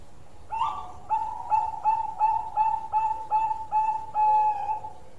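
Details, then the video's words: Zebra dove of the Bangkok type in full song. A rising opening coo leads into a string of short, evenly spaced cooing notes that ends with a longer, drawn-out final coo. "Bunyi Suara Panjang Perkutut Bangkok Gacor"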